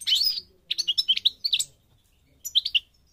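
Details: European goldfinch of the North African Parva type from Morocco singing a buzzy twittering opening, then a quick series of high liquid chirps, a pause, and a short final cluster of notes.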